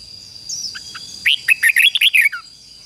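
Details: Red-whiskered bulbul used as a decoy, singing to call in wild birds: a few soft notes, then a rapid burst of about eight loud, clipped warbling notes, over a steady thin high whine.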